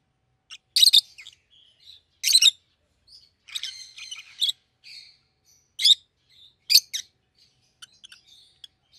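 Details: Rosy-faced lovebird pair kept as pets, one yellow, one green, calling in irregular loud shrill chirps, roughly forty a minute, with softer squeaky chatter in between.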